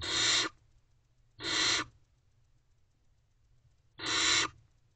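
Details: Barn owl chick inside a nest box on the morning of 17 May 2023, producing harsh breathy screech-hisses of half a second, three bursts with a longer pause before the last, low rustling underneath.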